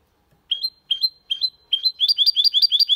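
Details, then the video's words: Singing goldfinch × canary hybrid in Malaga-style song, clean and without errors; four spaced rising whistled notes, then a quick repeated trill of paired rising chirps. "Mixto de Jilguero Cantando Limpio (Video HD)Mulet de Chardonneret X canari /hybrid goldfinch singing"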